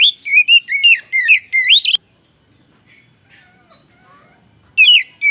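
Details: Provocation song of an oriental magpie-robin, used to rouse other birds: about two seconds of quick, sweet whistled phrases with upward slurs, a click, near silence, then a fresh burst of whistles at the end.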